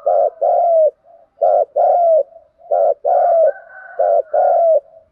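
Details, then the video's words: Spotted dove giving steady, mellow cooing meant to stimulate cooing: four clipped phrases, each a short note then a longer sliding coo, with a fainter second dove calling softly between them. "Cu gáy kích bổi nhanh nổi gù"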